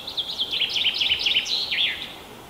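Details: Common chaffinch spring song in Kalinovsky forest park, Yekaterinburg, Russia, 21 April 2020: a quick run of bright, slightly falling chirps, ending in a lower downward flourish.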